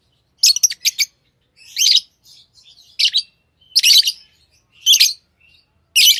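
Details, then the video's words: Tame lovebirds chirping: loud, shrill, scratchy notes in clusters about once a second, with soft little twitters filling the gaps. "Love birds Sounds | lovebirds chirping sounds"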